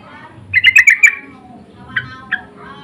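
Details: Sooty-headed bulbul lure calls answering back and forth, insistent in tone: a quick burst of five harsh, squawky chattering notes, then two separate single notes a moment later, over quiet background hum.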